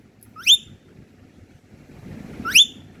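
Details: Rose-ringed parakeet, a pet talking parrot shown singing and dancing, gives two loud, shrill, upward-sweeping screeches about two seconds apart, with low indoor rumble between.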